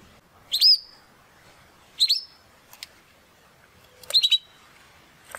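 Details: Young male Spanish Timbrado canary of the classic style, still finding his full song, gives three short separated bursts of bright upslurred notes with pauses between and a few faint clicks.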